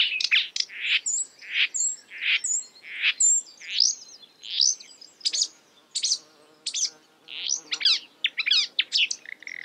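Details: Marsh warbler imitating other birds: evenly spaced, upslurred whistled notes roughly every three quarters of a second, then a quicker jumble of sharp chips and trills.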